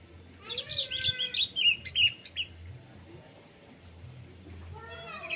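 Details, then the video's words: Orange-headed thrush, relaxed plong-style song: a burst of rapid, bright whistled notes and short trills over about two seconds, then a quieter pause, against a faint low hum with a few soft voices. "Suara Burung Anis Merah/Punglor Plong Santai"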